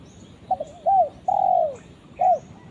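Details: Calling its companion, a spotted dove gives a hoarse stuttering lead-in, an arched coo, a long falling coo and a separate short coo. Faint high chirps from other birds sit in the background.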